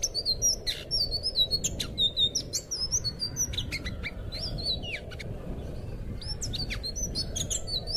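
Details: A thrush, a blue anis (orange-headed thrush relative, "anis biru"/selendang biru) sings a quick run of varied high whistles, slurred notes and sharp chirps, over a steady low rumble of background noise.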